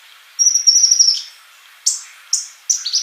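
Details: Sunbird singing on a caged-bird training track: a sustained thin high trill lasting almost a second, a pause, then three sharp descending chips in quick succession.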